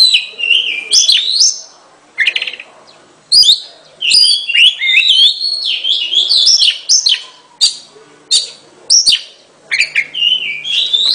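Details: Oriental magpie-robin pouring out loud, varied song in bursts: twisting whistled phrases, sharp chirps and scratchy notes, each burst followed by a short pause.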